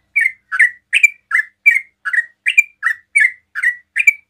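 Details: Fast 'ropel' song from a sooty-headed bulbul, sung to lure other bulbuls into replying; loud, evenly spaced whistled chirps, each slightly rising then falling, about two and a half per second.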